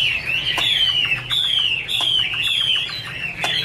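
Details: Chinese hwamei, described as angry, dancing and singing, in a song called Iron Ax Blade Cut Wood: clear, loud whistled notes sliding downward, repeated roughly every 0.7 seconds with short breaks between phrases.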